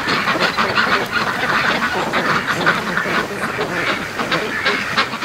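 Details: Domestic ducks urged along the trail to the lake in damp, drizzly weather. A group gives a steady stream of rough quacks, roughly three a second, overlapping into a constant chatter.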